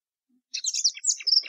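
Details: Short high phrase from a plumbeous seedeater (Sporophila plumbea) starting after a half-second silence: tumbling slurred whistles and sharp chirps, one long descending whistle, ending in a few buzzy notes.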